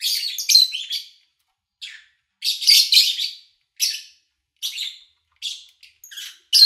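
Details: Lovebirds recorded in August 2019 at an owner's home while the owner was away, over three days from morning to evening, with little engine or human noise; harsh, buzzy high chirps in short bursts separated by brief pauses.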